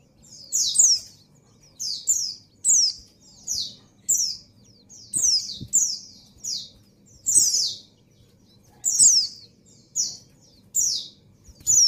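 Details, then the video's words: A breeding-condition female white-eye calls to attract the male, giving a long series of high, thin, descending notes, often in pairs, spaced about every second, over faint clicks and a low hum. "Suara Burung Pleci Betina Birahi Memanggil Jantan"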